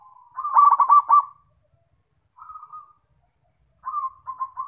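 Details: Zebra dove singing energetically: a loud rapid run of vibrating, stuttered coos opens the clip. Two quieter smooth purring phrases follow after pauses of silence.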